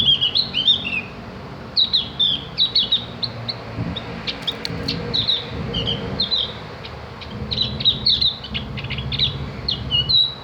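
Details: Cak gentong, the Javan grey-throated white-eye, singing for bird-training practice: rapid, high twittering chirps in repeated short bursts, with a few loud clicks midway and a low droning hum throughout.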